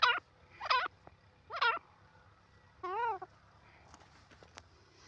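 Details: Grey francolin, known locally as jungli teetar, calling in the jungle: three quick, rough, harmonic notes, then a longer wavering, warbling note, with faint clicks afterwards.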